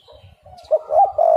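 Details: Spotted dove, a recording used as a lure to make other doves call: soft low murmurs, then two loud, rounded, hollow coos and a sustained cooing note at the end.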